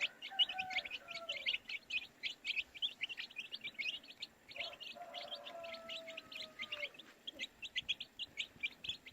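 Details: Baby chicks chirping in a crowd: dense, rapid high peeps overlapping continuously, with a few longer, lower, steady whistled tones drifting beneath around the middle.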